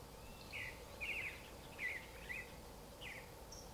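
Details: Creamy-bellied thrush delivering short rattled and warbled notes in a loose sequence, soft and set against a continuous low hiss.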